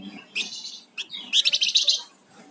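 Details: Flamboyan songbird singing gacor: a harsh high burst, a sharp chip, then a rapid stuttering run of loud buzzy notes lasting about a second.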